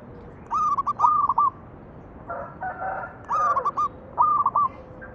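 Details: Local zebra dove cooing, used as a lure to make other doves sing. Four stuttering coo phrases of short repeated notes, with a brief burst of broad rustling noise between the second and third.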